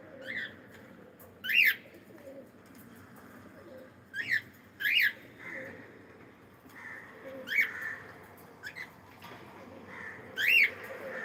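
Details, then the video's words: Cockatiel singing with bright, rising chirps, often paired in quick doubles, repeated every couple of seconds. Softer mid-pitched notes fill the gaps between the louder calls, against faint room noise. "Cute Cockatiel singing and sound"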